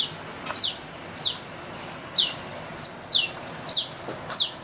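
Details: Sunbird giving an odd, chick-like song: loud, high, thin chirps, each dropping quickly in pitch, repeated roughly every two-thirds of a second, with a quiet background.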